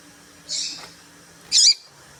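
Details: Female papa-capim (seedeater) call, played to excite males into singing: two short, high, bright peeping notes about one second apart over a faint steady background hum.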